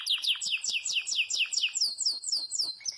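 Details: Yellow Belgian canary in loud campainha-style song, repeating a bright, downward-sweeping whistled note about twice per second, each slurred phrase sharp and high.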